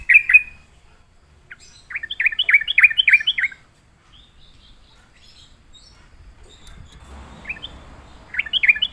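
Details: Sooty-headed bulbul lured to sing, with lively bubbly phrases of rapid warbled notes, a quiet stretch with some rustling, then another chattering burst at the end.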